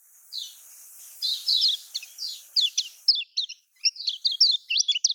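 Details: Lemon-bellied white-eye in the Lombok style, played to coax reluctant caged white-eyes into singing: a high twittering song of quick rising and falling chirps that begins after a short pause and grows denser toward the end.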